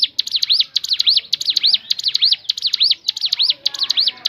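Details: Crescent-chested babbler (ciblek gunung) in natural voice, used to lure other birds into singing: rapid high looping whistled notes, each dipping and rising, strung together at roughly two per second with little else heard.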